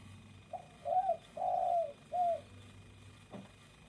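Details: Spotted dove singing: a soft cooing phrase of four low hooted notes, the third long and level, in a quiet background.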